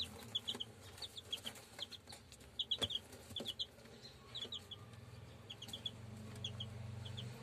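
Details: German Shamo chicks, pure breed, giving scattered high peeps in small clusters of two or three, separated by pauses, over a low steady hum and sharp knocking sounds.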